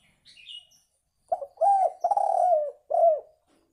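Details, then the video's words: Spotted dove call used for luring birds: after a faint high chirp, a short coo leads into two long, hoarse, level coos that sag at the end, followed by a final brief coo. "Suara Tekukur Ampuh Untuk Pikat"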